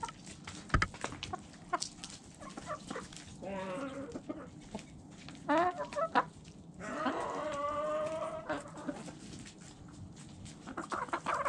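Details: Chickens at their food, sharp pecks ticking between calls, with a few clucking phrases and a longer, louder run of rising, drawn-out clucks in the second half.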